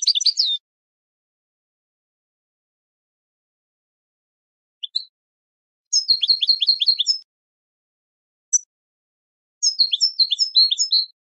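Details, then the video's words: For training birds, a European goldfinch sings short bursts of fast, high, down-slurred twitters separated by silent gaps of several seconds, with occasional single chips between phrases; nothing else audible. "Learning the Melodies of European Goldfinches( ويداني )"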